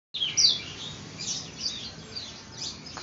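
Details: Yellow-eared spiderhunter, called a promising future champion singer and in full song: rapid, high, thin twittering notes and short sweeping chirps, tumbling together in a busy stream with slight background hiss.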